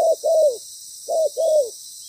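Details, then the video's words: Spotted dove decoy bird with a loud voice and a well-patterned song, calling during ground-decoy trapping: two paired low cooing phrases, each a short note then a longer, downslurred coo, over steady high hiss. "Bổi lớn tiếng,chim bài bản"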